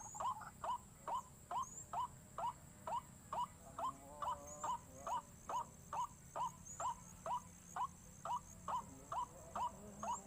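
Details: Lure call of a white-breasted waterhen meant to set waterhens panicking: evenly spaced short yelping notes that rise then dip, roughly two per second over ten seconds, monotonous and regular, with a soft low hum behind.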